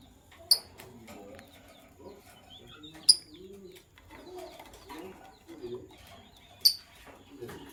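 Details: Morning chirping from sky blue opaline and green opaline lovebirds. Three piercing, ringing chirps come about every three seconds, with soft lower cooing and chattering notes between them.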